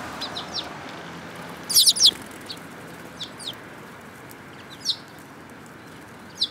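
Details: Several sparrows, June 10, 2018, giving brief high chirps; a loud cluster of overlapping notes comes near two seconds, followed by isolated single chirps spaced irregularly against a constant hum.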